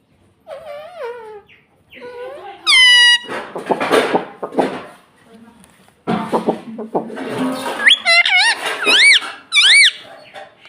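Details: Pet ring-necked parakeet indoors, a talking parrot taught to say 'mummy', giving high whistled and harsh talking-like calls, with squeaky rising notes, mixed with human voices and household knocking in a small room.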